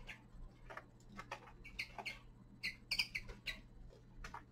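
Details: Young male common linnet singing in winter: a loose run of short, bright chirps clustered mid-clip, some doubled or tripled quickly, with softer scattered notes before and a steady low hum throughout.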